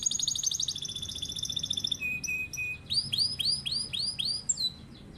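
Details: Canary in long rolling master song for pet birds to learn from. Opens with a fast high buzzy trill, a brief flat whistle, then a run of loud rising-falling chirps repeated rhythmically.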